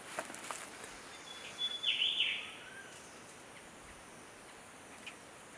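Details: Unhurried short-tailed scimitar babbler amid a chase between orange-headed and eyebrowed thrushes; a single high, thin note runs into a short downward-sliding burst, followed by quiet background hiss and a few soft distant ticks.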